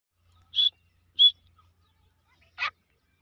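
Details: Grey francolin chicks: two short, thin, high-pitched peeps about two-thirds of a second apart, followed by a harsher, broader clipped note near the end, in an otherwise quiet setting.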